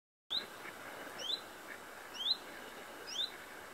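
A common chiffchaff gives four short, high, sweeping notes about a second apart, over a steady hiss of background noise.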